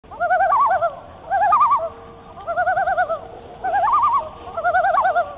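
A loon gives five bursts of quavering, wavering notes in about five seconds, warbling up and down in a mid pitch over a low background rumble.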